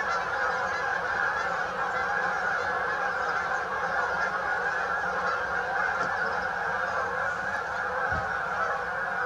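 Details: Flock of Canada geese at St Anne's Lagoon, a dense continuous chorus of overlapping nasal honks with no pauses, many birds calling at once and building into a steady wall of sound.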